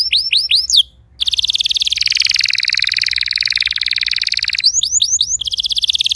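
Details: Canary song meant to get a silent canary singing: a few looping whistled swoops, a brief pause, then a long dense buzzy roll, followed by more swoops and a fast trill.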